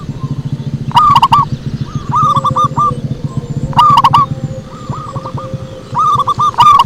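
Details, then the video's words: Lure call of a zebra dove: rolling, stuttering coos repeated in phrases roughly every three seconds, led by sharp clicks, against a steady low droning rumble. "Suara Merdu PIKAT PERKUTUT"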